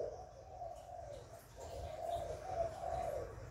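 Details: Spotted dove cooing in the hạp bổi style, used to stimulate captive doves. Rapid, rolling hollow coos swell in two waves, with a faint low rumble behind them.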